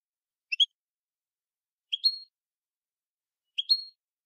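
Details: European goldfinch singing in the copia Malaga style, an edited 2020 recording used to tutor young birds: three short high phrases about 1.5 seconds apart, each a quick rising chirp ending in a brief sustained whistle, over silence.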